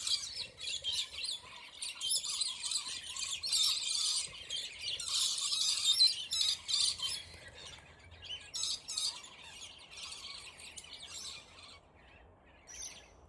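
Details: Fighting Scaly-breasted lorikeets, highly territorial birds wrestling in a squabble that lasted ten minutes; rapid harsh screeching and chattering bursts, loudest mid-way, then thinning to sparse shrill notes.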